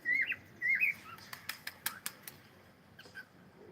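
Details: Cockatiel, pet bird: two rising whistled notes open the recording, followed by a run of sharp flapping or tapping sounds about every fifth of a second, then faint soft chirps.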